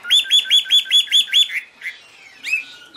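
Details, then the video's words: High, pure Chinese hwamei song given with waving wings and tail: seven loud identical whistled notes repeated rapidly, then quieter varied notes and a thin drawn-out whistle. "Birds Garrulax canorus high vocals and pure"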